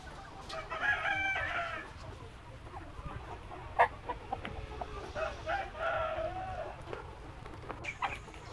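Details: Flock of Noi, bantam and crossbred chickens raised free-range in a spacious yard by day, pecking at insects and vegetables; a loud harmonic cackle opens, followed by quieter broken clucks and clicks amid low rumbling noise.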